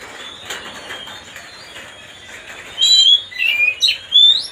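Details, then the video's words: Provoking song of an Oriental magpie-robin: after a few quiet seconds of soft background chatter, loud clear whistled phrases break in, sliding up and down. "mancing suara kacer biar emosi"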